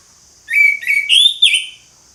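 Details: Orange-headed thrush in ngeplong style delivering one short phrase of four linked, slurred whistles, the last rising higher before cutting off.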